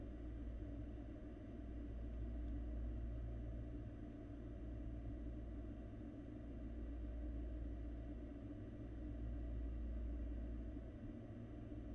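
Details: Only a steady low rumble like distant traffic or machinery is heard, with no animal voice at all.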